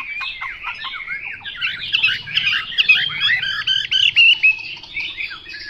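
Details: Chinese hwamei producing a dense jumble of harsh, chattering and scratchy notes mixed with short whistles, growing louder in the middle.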